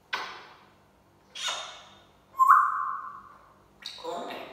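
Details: Pet African grey parrot mimicking the phrase SubhanAllah indoors: short breathy syllables, then a sustained whistled tone, repeated in separate bursts with quiet gaps.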